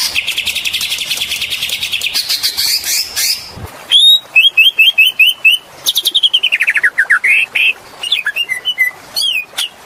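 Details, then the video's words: Oriental magpie-robin in lively lure song: an opening buzzy trill, then a fast series of repeated clear whistled notes and bright chips, delivered in rapid bursts. "PANCINGAN SUARA BURUNG KACER GACOR SUARA NGEMPLONG PARAH"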